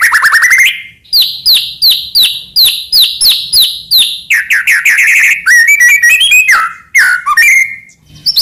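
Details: White-rumped shama of the Medan type, singing actively with many mimicked phrases, used as a master song to stir other shamas into singing; a fast series of falling whistled notes gives way to downslurred chirps and warbled, varied phrases.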